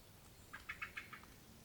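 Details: Very angry Eurasian blackcap producing a quick run of five hard, percussive tack notes, evenly spaced, fading slightly at the end, against quiet background noise.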